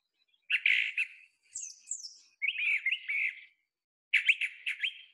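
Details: Brown Thrasher singing in spring gives rich, varied, mimicking phrases, loud and chirpy and separated by short pauses; the phrases typically come in twos.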